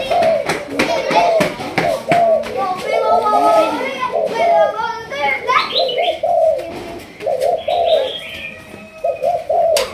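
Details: Spotted dove of a Malaysian thúc gù line, raised for decoy work, cooing in repeated low hollow notes throughout. Clicking, sharp chirps and human voices are mixed in.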